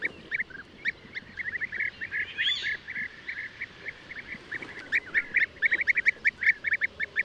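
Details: Many European bee-eaters giving overlapping rolling, slightly burry notes in a busy chorus that grows denser and louder toward the end.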